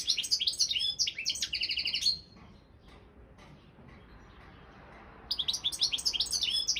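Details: Competition song of a Balkan European goldfinch: a fast twittering phrase with buzzy repeated trill notes, a silent gap of about three seconds, then the high chattering resumes.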